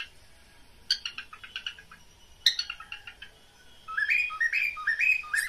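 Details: Mating call of a pet cockatiel: two bursts of rapid scratchy chirps, then a series of loud whistled notes that slide upward, repeated about four times.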